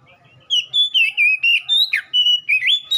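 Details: Energetic whistled song of an Oriental magpie-robin, played to spur caged birds into song; quick bright notes about four a second, one steep downward swoop midway, closing on a rising whistle.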